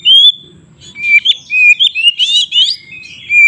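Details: Song of a White-rumped shama played to provoke birds into fighting: a long clear whistle opens, followed by quick warbled slurs and rasping rising notes, ending on another pure whistle.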